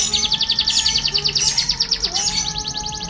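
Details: Caged canary in full, lively song, a style known as roll tembak: a fast rolling trill of high buzzy repeated notes running throughout, with a steady lower whistled tone and background hum.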